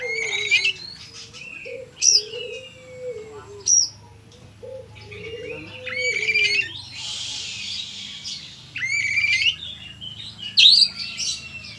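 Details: Oriental magpie-robin in full vigorous song of the style called gacor konslet: varied whistles, rising and falling slurs, and harsh buzzy bursts in quick succession. A lower cooing sound runs underneath.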